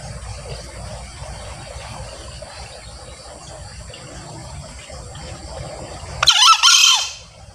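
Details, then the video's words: Crow of a male green junglefowl, used to attract wild birds when hunting; after six seconds of quiet low hum comes one brief, harsh two-part call, a clipped first note and a longer hoarse, downward-bending screech. "SUARA AYAM HUTAN JANTAN ( NGEKEK BERKOKOK)"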